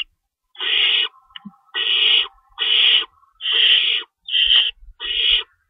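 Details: Owl at the nest at night during feeding time, March 25, 2012, 3:53 AM, with two rabbits in the pantry. Six loud, breathy, screeching hisses repeat about once a second, with a faint low tone running between them.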